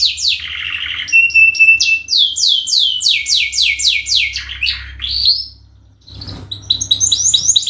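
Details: Canary song used as a lure: trilled opening, a long thin whistle, a rhythmic run of falling notes, a rising slurred phrase, a brief gap, then fresh high chirps; faint low hum throughout.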